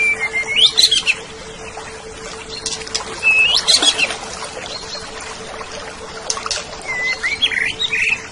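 Greater green leafbird giving bright, clear whistled phrases with quick rising and falling slurs in short bursts, over a steady faint hum.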